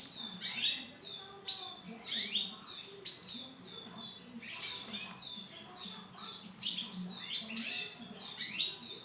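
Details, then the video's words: Brown-coloured female canary giving bright, high chirps with quick rising and falling sweeps, in loose bursts about every second or two, over a faint low hum. "CANARY BETINA WARNA COKLAT"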